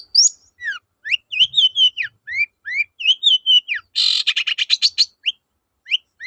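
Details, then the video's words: Song of a long-tailed shrike aimed at getting quiet shrikes singing: clear rising and falling whistled slurs in a varied sequence, a quick rattling harsh series in the middle, then a few more whistles. "BURUNG CENDET GACOR TOET-TOET, memancing cendet macet kembali gaco"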